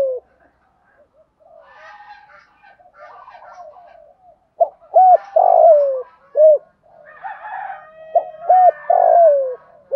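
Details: Decoy spotted dove calling its flock in the morning. Quiet, scratchy chatter comes first, then two full phrases: clipped notes, a bowed hollow coo and a drawn-out falling coo, roughly five seconds apart.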